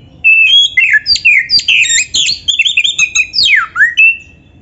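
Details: Oriental magpie-robin delivering a loud, dense run of whistled and buzzy notes with swoops and rapid chatter, ending in a long falling-then-rising whistle; a recording used to make kept birds sing.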